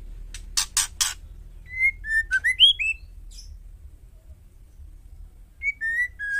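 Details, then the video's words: Female white-rumped shama call meant to provoke males: three sharp broadband clicks, then a run of clear whistled slurs rising and falling, a pause, and a final few level whistles over low background hum. "panggilan murai betina hot jamin jantan bisu langsung nyaut..white rhumped shama"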